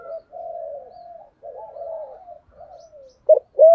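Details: ["Spotted dove cooing in the deep 'thổ sấm' style meant to stimulate other doves. Softer, longer, drawn-out low coos waver irregularly, then two short louder coos at the end."]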